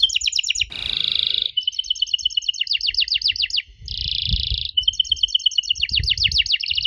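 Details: Canary song used to prompt young canaries to answer: rapid repeated trills and downward-swept notes alternating with dense buzzy rattles, a fast rolling chatter with little pause.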